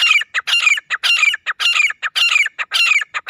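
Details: Loud francolin call of the kind hunters use to lure birds near: harsh, grating phrases repeated about twice a second in a steady rhythm, each with a short scratchy lead-in note, with no other sounds.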